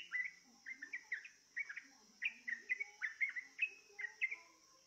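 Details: Sooty-headed bulbul drawn to sing with a lure, uttering quick paired and tripled chirps in short bursts with brief gaps, over a faint steady high whine.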